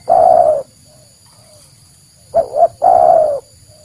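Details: Call of a spotted dove, a genuine recording meant for luring wild doves. A long, low purring coo, a pause, then two short clipped coos leading into another sustained coo, over a faint constant high whine.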